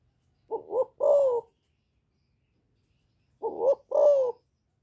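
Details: Spotted dove cooing in the Thổ voice style with a single ending note, calling to provoke wild rival males; two clean phrases about three seconds apart, each with two short coos and a longer falling final coo.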